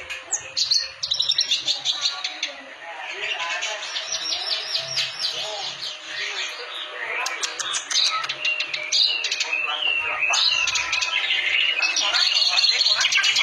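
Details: Clamorous reed warbler in full song: a busy, varied stream of chattering, scratchy and whistled phrases with rapid repeated notes, some sharp clicks, continuous throughout.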